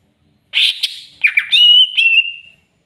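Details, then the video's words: Greater green leafbird stirred up by a rival: two coarse, scratchy notes, then a pure, sustained whistle that wavers slightly before tapering away, with no background sound. "CUCAK IJO CARI LAWAN!!!bikin cucak ijo emosi"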